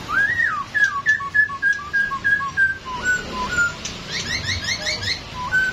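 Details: Masked laughingthrush, described as dancing, giving clear whistled notes that step down in pitch in a rapid, uneven series, followed by higher chattering whistles near the end.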